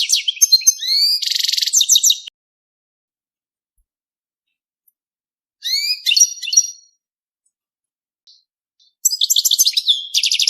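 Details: Mating song of a European goldfinch in three separate bursts: rising whistled slurs, a brief harsh buzzy passage and quick tinkling trills, with long silences between the phrases.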